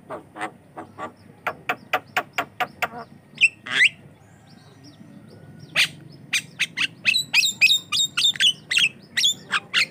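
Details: Javan myna, called jalak kebo, singing in a lively, continuous gacor style for use as a lure and training sound: a run of sharp broadband clicks and chacks, then a burst of high whistled and squeaky notes.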